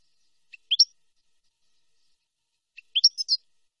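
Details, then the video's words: Two short high twittering phrases from a European goldfinch, each a faint tick then two or three bright chirps, separated by silence. The recording is made for teaching young birds the nahrat and taqasim song style. "شريط لغة حسون نهرات وتقاسيم"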